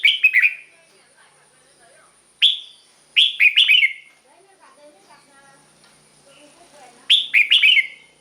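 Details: Song of a red-whiskered bulbul meant to rouse caged birds: rapid bubbly three- to four-note whistled phrases, one lone note between them, with gaps of a few seconds and soft low chatter in the pauses.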